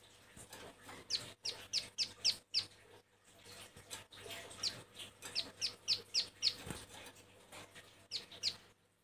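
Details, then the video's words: Female bar-winged prinia in breeding condition calling to males, used as a lure bird: bursts of thin, high chirps in quick runs of three to five, fairly faint against a steady low hum and background noise. "Burung Ciblek sawah Betina birahi gacor panggil jantan"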